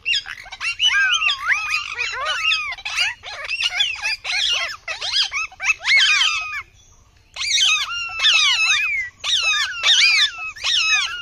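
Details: Indian ringneck parrots calling: loud, harsh, rapidly repeated squawks and screeches, many overlapping, with sweeping rising and falling notes in dense bursts and a short pause partway through.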